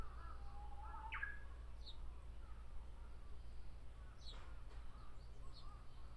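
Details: Japanese bush warbler singing in a tree at Miyakonojo, Miyazaki Prefecture, Japan: a low steady whistle rises into one sharp, upward-sweeping flourish near the start, with faint cawing and fainter chirps behind.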